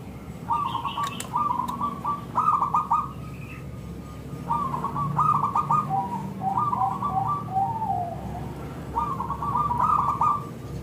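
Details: Local zebra dove, thick clear-voiced singer used as a lure so other zebra doves reply; three long runs of rapid bubbling coo notes, the middle one ending in a short falling tail.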